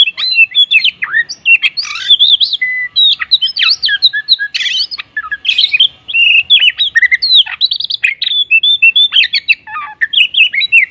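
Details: Oriental magpie-robin in energetic morning song, filled with tembakan kapas fills: a long, continuous stream of varied whistles, looping slurs and harsh rasping bursts, delivered rapidly with only brief breaks.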